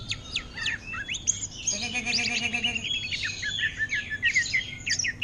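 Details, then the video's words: Caged greater green leafbird singing like an orange-headed thrush, giving rapid clicking chips then a dense, scratchy twitter of high slurred notes, with a short burst of talking. "Cucak Ijo Ngentrok Gaya Anis Merah"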